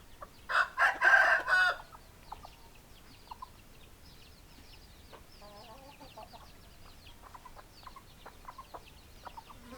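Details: Chicken sounds from hens and roosters: a loud, harsh burst of four rough pulses near the start, then quiet, scattered clucks under a busy background of faint high bird chirps.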